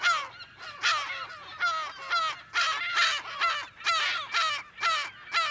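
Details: Close California gull in a colony, mono recording: loud, hoarse, laughing calls delivered in bursts about two per second, each a harsh downward yelp, with other gulls audible behind.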